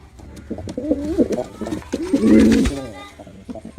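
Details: Male pigeon performing, giving a low throaty cooing burst near the end after scattered softer murmurs and rustling, in what sounds like a small enclosed space.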